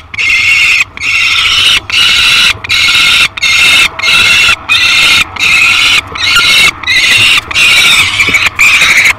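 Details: Peregrine falcon on its nest at feeding time, filmed by a live nest camera on 15 July 2021, with a small yellow bird brought as breakfast. Loud, harsh screeching calls repeat in a steady series, roughly one every 0.7 seconds.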